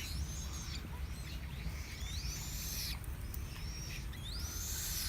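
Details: Chinese blackbird singing: thin, high whistled phrases that sweep upward and then level off, given in separate bursts about a second apart, over a steady low rumble.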